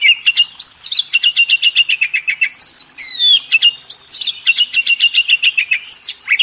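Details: Kacer contest tutor song from an Oriental magpie-robin: fast rhythmic chattering notes repeated several times a second, broken by rising whistled flourishes and a sweeping slur.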